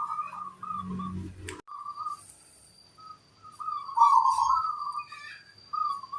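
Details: Local zebra dove with a big 'kung' voice: mellow coos interrupted by a sharp thump and low rumble, then a louder rolling coo phrase and a final flat hoot.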